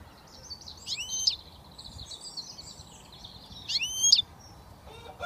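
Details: Young European goldfinch in Britain, only starting to whistle, alternates soft warbling twitters with two sharp, ringing swept notes, followed by a short lower sound at the end.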